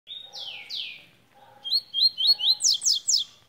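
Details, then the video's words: {'caption': 'Tui song: a short steady whistle, then two loud downward-sliding sweeps. After a brief pause comes a quick series of upslurred chirps and rapid buzzy falling trills.'} "tui tui de luxo"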